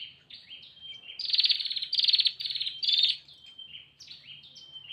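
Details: Female bar-winged prinia calling to a male. Soft whistled slurs lead into a run of loud, rapid ticking buzzes, then fade back to quieter whistled notes.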